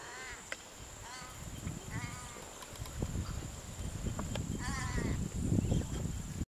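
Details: A pair of purple swamphens at their nest swap incubation duties as one parent arrives to relieve the other; short, wavering, nasal bleating calls in several bursts over low wind rumble and a steady thin high whine.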